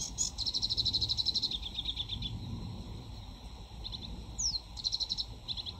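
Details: Singing sedge warbler, a summer breeding visitor to the UK, delivers rapid high trills of repeated dry notes, a brief upward-sweeping whistle near the end, then more chattering phrases against soft low rumble.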